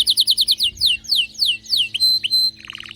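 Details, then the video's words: Excited canary singing quick clipped notes, then slower sweeping downslurs, two falling whistles over a sustained tone, and a short burst of rapid notes. "غناء كناري هايج ومولللعCanario -canary"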